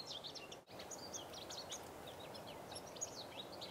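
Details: Purple Finch singing in the background in early spring, March 2010, while a Red Squirrel visits a feeder: a quiet, rambling warble of high notes over steady outdoor noise, with a brief dropout near the start.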